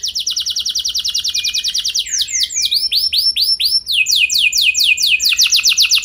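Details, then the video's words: Canary singing as a lure recording to set other canaries off into long rolls; a rapid even trill gives way to slower looping swept notes, then a fresh series of rising-falling whistles, all high and bright. "Pancingan Burung Kenari Ampuh Bikin Kenari Lain Auto Gacor Ngeroll Panjang | Canary Singing"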